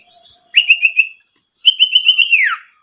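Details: Owlet call meant to excite rival owlets. A short pulsed whistled trill, then a longer one that ends in a steep downward slur, with faint soft notes at the start.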